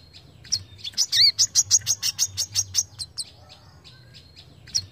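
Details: A Brown-throated Sunbird gives sharp calls used as training audio: a quick burst of about a dozen sharp, high, ticking notes, then scattered thin chirps, over a faint low hum.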